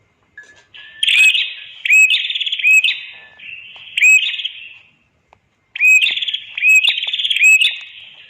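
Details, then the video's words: Red-headed prinia song used as a master recording for training other birds: loud buzzy phrases, each opening with a sharp upward-swept note and then a rattling trill, given in quick series with a brief pause midway. "Suara ampuh Master burung Prenjak kepala merah"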